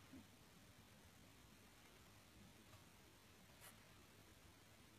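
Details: Quiet hum and hiss like a distant engine, broken by two brief soft clicks.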